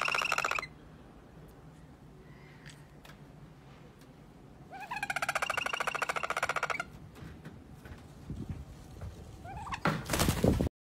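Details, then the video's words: Toucan cackling in short bursts of fast, grating pulses. A brief bout opens the recording, a longer bout follows after a quiet stretch with faint clicks, and a loud harsh burst comes near the end. "Toucan Cackling!"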